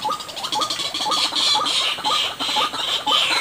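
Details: White-breasted waterhen lure recording: loud, harsh, buzzy notes with short hooked calls repeated about every half second.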